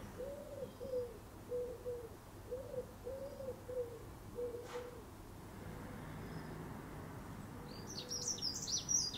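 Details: A Common Wood Pigeon visiting a garden in Somerset, UK, in February 2018 near winter's end, gives a series of soft, low, hollow coos in a rhythmic phrase that fades out; a brief high chirping from another bird comes at the end.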